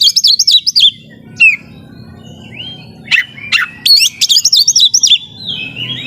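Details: Home-kept Oriental magpie-robin singing vigorously, a song said to make rivals fired up: quick rolling high whistled trills, gliding notes and sharp percussive clicks in dense bursts.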